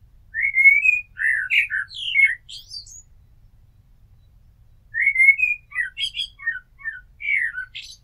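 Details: Blackbird singing two full strophes separated by a silent gap, each opening with low, rich whistles and ending in high, scratchy twittering flourishes.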